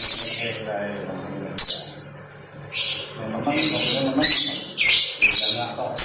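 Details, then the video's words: Oriental magpie-robin, called kacer or kucica kampung, singing a song stuffed with lovebird imitations: bursts of sharp, high, chattery chirps separated by short gaps, over a faint low background murmur. "Burung Kacer Isian Lovebird"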